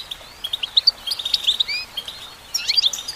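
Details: Female goldfinch singing with rapid, high tinkling chirps and short slurred whistles in loose clusters, a brief lull near the middle, then another quick twittering burst.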